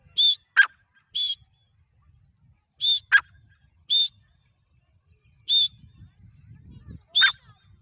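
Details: Calling francolin: pairs of harsh buzzy notes with sharp falling notes, in bursts separated by short pauses, with low rumbling noise in the background near the end.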